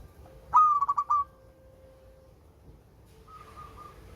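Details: Local zebra dove, sweet-voiced, used as a lure for birds reluctant to call: a short rolling coo of about five quick notes, then a softer faint coo after a pause.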